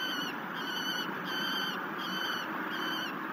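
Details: Peregrine falcon chick begging while being fed at a cliff-face nest near La Crescent, Minnesota, above the Mississippi River, evening of 19 July 2019; harsh, harmonic calls repeated about five times in three seconds over a steady background hum.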